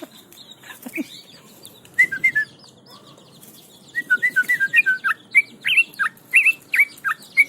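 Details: Yellow-vented Bulbul (trucukan) still singing while held by hand, a tame bird that once fled when merely looked at. Soft rustling comes first, then a burst of rapid, sweet whistled notes that grows steadily louder and quicker.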